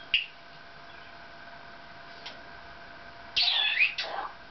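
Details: Maximilian's pionus kept as a pet, chatting and singing indoors with its owner, makes a faint click, then a burst of rapid, strained chattering squawks lasting about a second.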